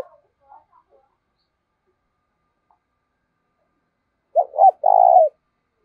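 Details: Spotted dove decoy in giọng thổ voice, kept to attract wild doves: after near silence with faint murmurs, one phrase near the end of two short hoots and a sustained, vibrating coo.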